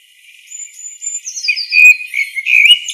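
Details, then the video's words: A blackbird's song phrase opens with a thin, level high whistle. It slides down through short notes into louder, slurred warbling that builds toward the end, heard clearly without other sounds. "Blackbird song"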